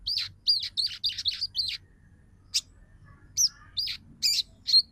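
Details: Female crimson sunbird calling a male, meant to stir males into singing and breeding condition: a fast run of six sharp, high chirps, a pause, then scattered single piercing tweets over a quiet background.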